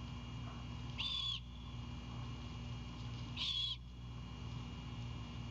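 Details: Great horned owlet on a Savannah nest cam at night, chipping to greet its mother as she brings back an Anhinga. Two scratchy, wheezing bursts a little over two seconds apart over a continuous low electrical hum.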